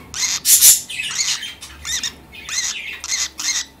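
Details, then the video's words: Baby lovebird, a small pet bird kept indoors alongside parakeets, giving harsh squawking calls in short bursts with several rising-falling chirp notes, repeated roughly every half second, in a quiet room. "Chi - The Baby LoveBird"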